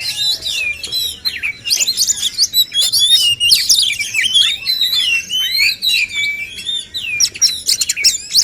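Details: Contest song of male kacer, the oriental magpie-robin: a continuous jumble of high, rippling whistles, sharp clicks and swooping notes, fairly steady in loudness throughout.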